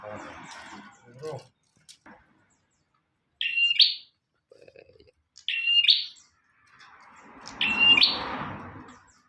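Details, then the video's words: {'caption': 'Bar-winged prinia singing for use as a master recording: three separate loud chirped phrases spaced about two seconds apart, with rustling and muffled background noise between them.'} "Burung prenjak tamu / prenjak omah gacor"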